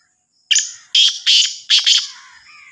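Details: Black francolin, Sindhi kala teetar known as Sahiwal teetar: a loud harsh call of four to five rasping, chirping notes in a rhythmic phrase, fading with a trailing echo.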